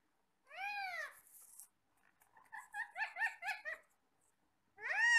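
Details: Pet parrots chattering while eating apple indoors: loud arched harmonic squawks at start and end, with a run of short quick chirps in between.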